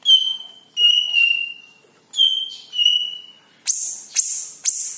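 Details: Yellow-headed leafbird (cucak ijo) lure song: four drawn-out whistles falling gently in pitch, then three sharp, harsh, chattering bursts close together at the end.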